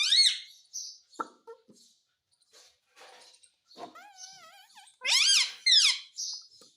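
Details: Indoor pet parrot, said to be talking Hindi: a high squeal, then a wavering tonal phrase near four seconds and two loud arched harmonic calls around five to six seconds, with scattered soft clicks.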